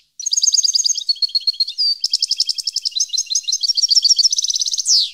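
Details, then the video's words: Continuous European goldfinch song from 2015: a rapid, unbroken stream of bright tinkling notes and trills with a short sustained whistle near the middle, ending on a buzzy descending note. "Goldfinch song 2015/ Canto Jilguero Parva 2015"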